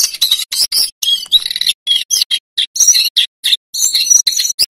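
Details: Male lesser shortwing singing energetically in rolling and fluting style, used as a master bird to train other songbirds: bursts of high, varied, scratchy warbling and short whistles broken by brief pauses, with a faint clicking underneath.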